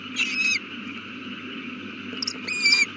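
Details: Owl at the nest with a newly hatched chick, recorded 8:32 pm on April 18, 2019. A raspy screech opens, then a softer click-like note and a second harsh call with a sliding tone, over steady hum.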